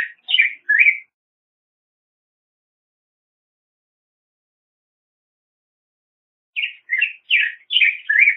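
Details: Black-headed grosbeak singing: two short bursts of rich, warbled whistled notes, rising and falling, separated by a long silence, with quick syllables run together in each phrase.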